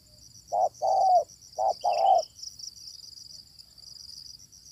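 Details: During luring with a decoy, a fierce wild spotted dove gives two quick pairs of mellow low coos, short then long, before falling silent; continuous high insect buzzing and a faint thin chirp.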